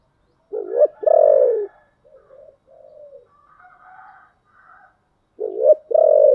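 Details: Spotted dove delivering giọng thổ style song: loud, deep, hollow coos in short bursts at the start and end, separated by softer, lower notes and near silence.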